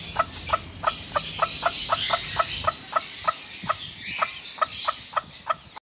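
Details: Domestic hen protecting her chicks, giving a steady series of short, sharp clucks about three per second, each a brief low note, with rustling and faint higher chick peeps in the background.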